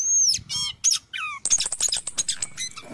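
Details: Orange-headed thrush singing in the morning as a lure for caged birds: a long high thin whistle, harsh squawky notes, then a fast scratchy rattle with sharp chips.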